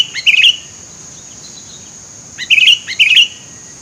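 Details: Sooty-headed bulbul calling amid scrub, a sound used to lure birds: a short bubbly, warbled phrase, then a pause and two more quick gurgling phrases, over a steady high insect-like whine.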